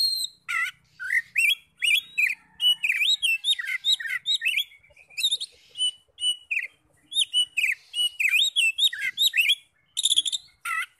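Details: Oriental magpie-robin in long continuous song, played to excite other magpie-robins into answering: a steady stream of varied whistles, chips and buzzy slurs, several notes per second, repeated in tight phrases.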